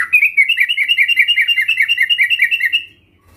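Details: Sooty-headed bulbul song used to coax other bulbuls into singing: a steady, even run of about sixteen bubbly whistled notes, paired up and down, lasting almost three seconds before fading out.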